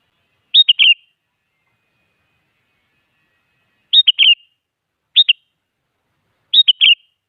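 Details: Sooty-headed bulbul singing actively, used as a lure to make reluctant bulbuls answer: short bubbly whistled phrases of three quick rising-falling notes, repeated at irregular intervals of roughly one to three seconds, with silence between.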